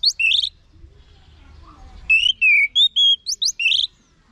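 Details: Orange-headed thrush song played to tutor caged birds. A brief bright note opens, then a long quiet pause, then a lively phrase of rolling whistles, sliding notes and high flicks.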